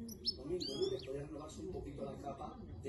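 A European goldfinch gives a few quick, high, tinkling twittered phrases over a steady murmur of voices and room noise.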